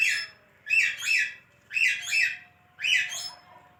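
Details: Pet talking parrot gives three loud phrases about a second apart, each a harsh two-part, word-like utterance with a rough, nasal tone, in a quiet indoor room.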